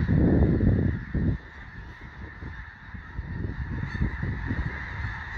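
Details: Snow geese in a large flock on Fir Island near Mount Vernon, Washington, trying to settle for the night; a heavy gust of low wind noise opens, then the steady mass of overlapping honks continues.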